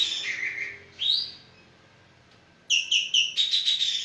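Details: Javan green magpie singing actively. A drawn-out, lower whistle and a rising swept note, a pause, then a fast run of bright, repeated ringing notes.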